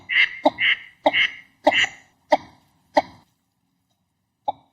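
Northern Shoveler giving short, hoarse, nasal notes, often paired, in a quick run of about six, then a pause and one last note.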